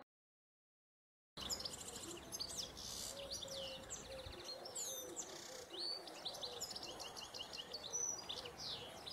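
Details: European goldfinch in the wild during mating: quick, high, tinkling twitters and chirps tumble over one another in a busy, irregular stream, with several thin buzzy notes, after a short silence at the start.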